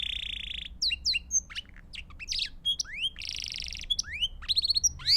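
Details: Belgian canary singing, played for training young birds and teaching new songs: a steady buzzy tone, then rapid varied whistles, rising sweeps, short trills and sharp chips, over a faint low background hum.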